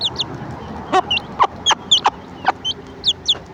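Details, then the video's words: Mother hen clucking her chicks over to breakfast: evenly spaced, short, knocking clucks about every half second, with bright high peeps from chicks at the start and end. "The sound of a hen clucking her chicks.Its breakfast."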